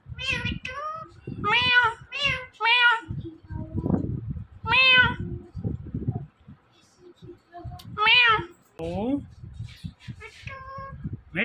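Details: Indian ringneck parakeet talking, giving short, bright, nasal word-like phrases in bursts with pauses between them, mixed with a person's voice repeating a short word to it.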